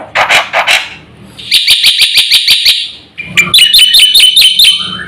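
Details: Black-winged myna in full-isian song meant to excite other birds: rough lower chatters open, then a measured series of crisp high clicks, then fast, bouncing whistled notes with a wavering contour.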